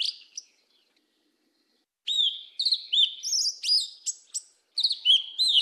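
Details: A black Yellow-legged Thrush sings 'mateiro do sul' phrases: after a brief pause, a fast sequence of clear curved whistles mixed with very high thin notes, broken by a short gap.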